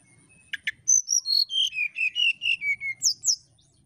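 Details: Brown-chested jungle flycatcher singing to lure a rival: a couple of sharp clicks, then a falling run of about ten clear whistles, closing with two high rising notes.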